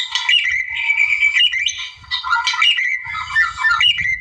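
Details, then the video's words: White-rumped shama from the wild in full rival-provoking song: rich whistled notes mixed with harsh chatter, steady and energetic, brief dips in loudness between phrases. "KICAU GACOR MURAI ALAM NARIK LAWAN"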